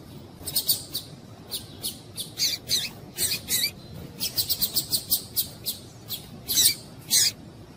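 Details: Calling female double-collared seedeater, used to excite males: steady series of sharp, high-pitched chips and short trilled notes, roughly three to four per second with brief pauses, over soft low background noise.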